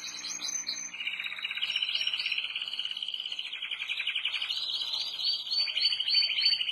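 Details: Canaries of different colours singing: a continuous high warbling song of fast rolling trills and buzzy runs, ending in a series of repeated chirping notes, with faint chatter beneath.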